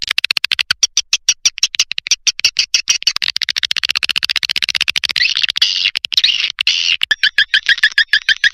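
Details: Lidah Api style swiftlet lure sound: a steady train of rapid dry clicks, about two per second, blending into high buzzy twittering, then a run of quick chirps.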